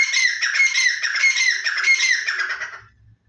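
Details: Black francolin let out of a large cage gives a loud, harsh, grating call of rapid rough notes, continuous for under three seconds before falling quiet.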